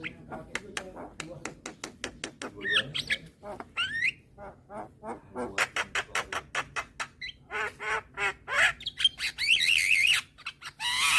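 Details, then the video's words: A young white-eyed Javan myna repeats its head-bobbing call to lure hybrid mynas. A long run of rapid clicking notes gives way to buzzy squawks and a harsh rasp at the close. "Jalak Kebo Mata Putih Masih Muda Sudah Rajin Bunyi Manggut2 Untuk Mancing Burung Jalak Hybrid"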